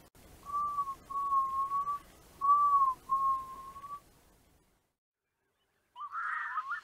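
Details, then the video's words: A loon, one of the four species occurring in Lithuania, gives four long, pure whistled notes of even pitch, each with a brief upward start, followed by silence and then a short burst of noise. "Lietuvos paukščiai: narai"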